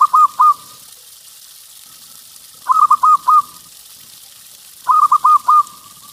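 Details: Local zebra dove singing, used to lure other zebra doves: three phrases of three or four quick, soft, bubbling coos ending in a faint trailing note, with pauses of about two seconds between phrases over a light, steady hiss.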